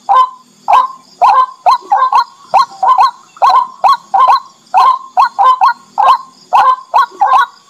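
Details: White-breasted waterhen (Amaurornis phoenicurus), call.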